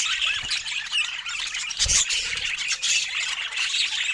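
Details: Budgerigars kept as pets chatter happily over shared fruit, a steady wash of shrill chirps, squeals and rasping notes, with a soft low thump near the middle.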